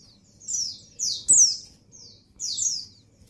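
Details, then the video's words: Female white-eye in breeding condition calling to the male: high, thin downslurred notes given singly and in pairs about once a second, with one sharp click and a faint low hum behind. "Suara Burung Pleci Betina Birahi Memanggil Jantan"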